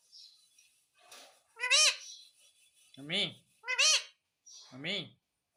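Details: Pet parrot talking, asking in Hindi for roti: a series of loud, hoarse, strongly harmonic syllables with rising and falling pitch, spaced about one second apart, with faint softer sounds between them.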